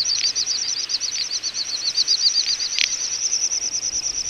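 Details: A wintering flock of little bustards (Tetrax tetrax) in Ag-Gol National Park, Azerbaijan, in November 2014, gives a dense, high, shimmering twitter of rapid wavering notes, steady throughout, with a few soft clicks over a quiet background.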